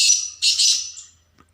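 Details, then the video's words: Captive Black Francolin (kala teetar), hung up outdoors in its cage near woodland, calls with two harsh, grating bursts, each fading over about a second, with a faint low hum underneath. "दोस्तों ये मेरा तीतर लगा हुआ है, बोल रहा है अभी इसको जाके उतारूँगा।"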